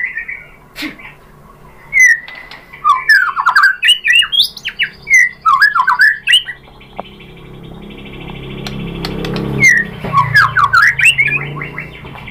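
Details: White-rumped shama lure song meant to provoke singing: bursts of sweet whistles and rapid warbled notes, a quieter gap with low background rumble, then another fast varied phrase.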